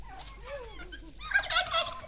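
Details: Farm-raised turkeys kept by a family in the countryside, calling with a quick burst of rattling, gobbling notes after a few thin rising and falling whistled sounds.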